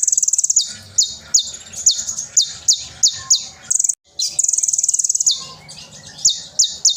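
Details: Loud konin sunbird song meant for tutoring young birds: very high rapid trills alternating with sharp, steeply falling whistled notes in quick series, one short pause, then a long fast rattling trill and more sharp notes.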